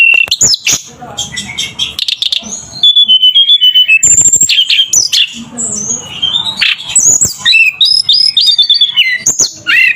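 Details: Tledekan (flowerpecker) singing hard (gacor): loud, almost unbroken stream of high squeaky whistles, quick slurs and chattering trills with sharp clicks between phrases.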